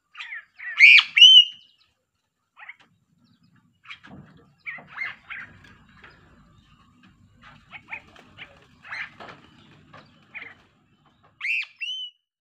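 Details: Sulawesi crow with a distinctive voice: a loud burst of harsh, upward-inflected calls opens, followed by scattered soft clicking and chattering notes, then another pair of loud harsh calls at the end.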